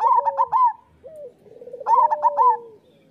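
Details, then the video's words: Zebra dove master song for coaxing local doves to sing. Two bursts of bright, staccato high notes over a lower sliding coo, separated by a soft rolling trill. "Perkutut lokal gacor Suara Masteran Burung Perkutut Paling Ampuh"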